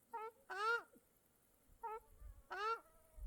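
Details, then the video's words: Lakeside birds in Mongolia give rich, nasal mewing notes in pairs: a short call followed by a longer, louder call that bends downward. Faint low rumbling sits underneath. "Birds Singing by Small Lake | Жижиг нууранд нуурын шувуудын дуу"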